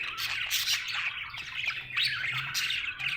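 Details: Cheerful budgie chatter, a rapid buzzy warble with clicking squawks in quick bursts, a soft hum underneath.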